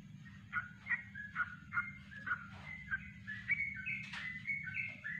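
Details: Yellow-vented bulbul singing a natural kongslet-style song meant as a master recording: a fairly distant series of bubbly whistled notes about twice a second, ending in a brighter run, over steady low background rumble and hiss.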